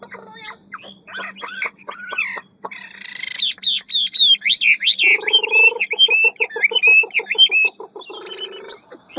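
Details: Hwamei of the ngũ trường type with forest-voice, many-voiced song: soft mixed notes give way to loud, rapid, warbling whistles and trills, then a quick series of short repeated notes.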